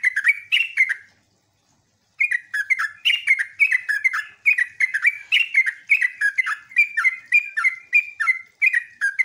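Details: Sooty-headed bulbul song used as a lure to make other bulbuls answer: rapid chattering phrases of bubbly, slurred notes repeated several times a second, with a brief pause early on.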